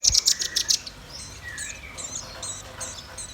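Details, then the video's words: Red-billed nuthatch and white-rumped shama song: a quick burst of sharp, high chirps in the first second, followed by softer scattered whistles and short high notes. "Suara kicau burung rambatan paruh merah dan murai batu gacor"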